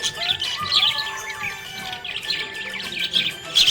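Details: Happy budgerigar chirping: clusters of bright twittering notes separated by brief pauses, plus a few slurred whistles, over a soft musical drone.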